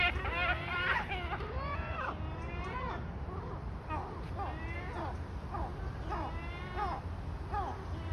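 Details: A gull gives very loud, weird, harsh wailing cries that rise and fall, about two per second, some overlapping, over a steady low rumble.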